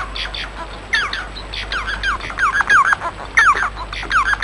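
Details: Bengalese finch singing: bursts of buzzy, harmonic notes that sweep downward, grouped in short phrases repeated through the clip over a steady background hiss.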